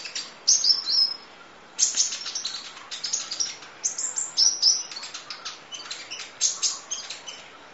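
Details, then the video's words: Van Hasselt's sunbird, known locally as kolibri ninja, in full 'nembak' training song: rapid, stuttering volleys of very high ticks and chirps with brief whistled slurs, almost continuous after a short pause. "Audio Master Masteran Kolibri Ninja Full Isian Nembak Durasi Panjang Kicau Burung"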